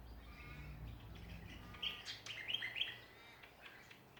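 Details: Australian songbirds singing in a backyard in Ballajura, Western Australia: faint background chatter first, then a burst of bright, high chirps and short whistled notes in the second half, over low steady hum.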